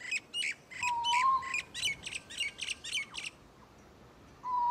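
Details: In Sydney, an Eastern Koel, a migratory cuckoo, gives a drawn-out, slightly rising whistle twice over a fast run of about nine harsh, chattering notes from another bird, likely a Common Myna.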